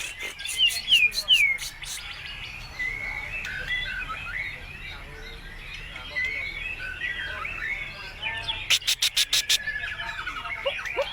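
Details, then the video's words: White-rumped shama singing hard, its song full of other birds' phrases, played to get nearby birds answering; falling whistles and sharp ticks open, busy warbling runs through, and a quick series of loud clicks sounds near the end. "PANCINGAN MURAI BATU GACOR MATERI FULL ISIAN BURUNG LAIN LANGSUNG NYAUT IKUT GACOR"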